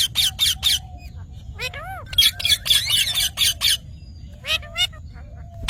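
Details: Green parrot giving rapid bursts of loud, harsh squawks with a few arched whistled notes between them, the harsh calls coming in quick series.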